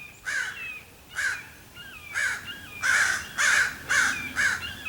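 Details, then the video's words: Common ravens in Cheseboro and Palo Comado Canyon, Agoura Hills, California, on 15 February 2025; a series of seven hoarse, croaking caws, some gliding downward, spaced roughly half a second to a second apart, in a quiet outdoor setting. "you hear them do you hear what the Ravens are saying"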